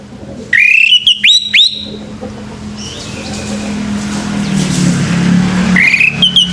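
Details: In the morning a male orange-headed thrush gives a few loud upslurred whistles in quick succession, then a fainter phrase later, with traffic rumble building underneath.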